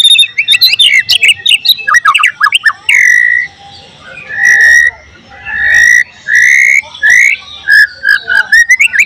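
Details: White-rumped shama singing loudly in a training recording made to teach filler phrases of other birds: rapid sharp chips and sweeps, then loud full whistled phrases repeated with short pauses, ending in quick high notes.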